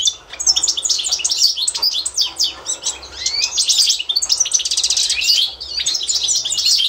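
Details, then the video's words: European goldfinch performing the authentic Constantine-style song, used for training other birds to learn it: rapid, dense twittering of high buzzy trills and sharp chirps, broken by short pauses, with a few descending whistled slurs. "تتعلم مع الحسون القسنطيني الاصيل"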